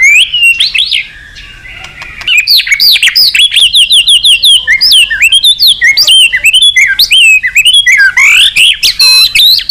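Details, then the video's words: White-rumped shama in energetic song meant to call a rival: a rich run of varied whistles, sweeping slurs and quick chirps, mostly high-pitched, delivered almost without pause after a brief quieter opening. "Suara Burung Murai Batu Gacor Memanggil Lawan"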